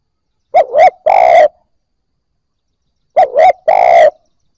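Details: Spotted dove phrases meant to get new captive birds cooing: two repeats of a soft double note ending in a sustained low coo, separated by silence.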